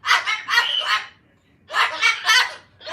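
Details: Angry pet rescue cockatoo squawking indoors: two bursts of three or four harsh, grating squawks each, separated by a pause of about half a second.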